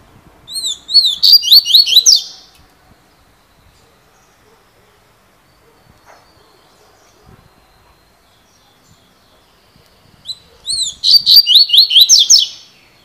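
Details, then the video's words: Double-collared seedeater, a coleiro described as a 'fibra' singer, with 'cilada' noted. It gives two bursts of high song about eight seconds apart, each opening with slurred whistles and then rapid, repeated, sweeping notes. Quiet background. "COLEIRO FIBRA (CILADA)"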